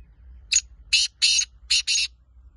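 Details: Five harsh, buzzy notes from a black francolin (kala teetar). A short first note is followed by two pairs of longer grating ones.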